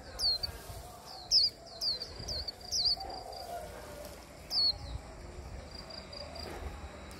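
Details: Japanese white-eye, hand-tame, stimulated into song; high, sharp down-slurred notes in short clustered phrases with a thin sustained high whistle between, low rumble and faint voices behind.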